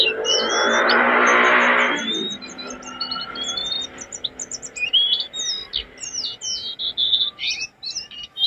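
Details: Jongkangan in a master recording for training cage birds, described as a vigorous, prolific singer: a broad noisy rush for two seconds, then rapid high thin chirps and short whistled slurs, quickly repeated and varied.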